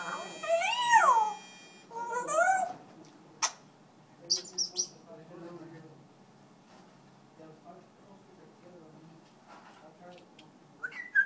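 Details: Captive African grey parrot sings, opening with two strong wavering whistles that swoop up and down, then sharp clicks, brief chirps and soft murmured notes trailing off, ending with a short whistle.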